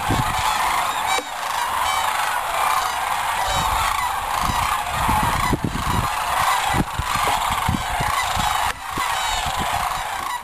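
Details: Several thousand wild Sandhill Cranes flying in at sunset from nearby cornfields to roost on the Platte River, Nebraska, during migration. A dense, unbroken chorus of rolling, warbling bugling calls from many birds, over low rumbling wind noise.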